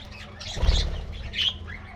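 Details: Colorful budgerigars at a morning treat give two quick bursts of squeaky chirping chatter, with a soft low thump between them.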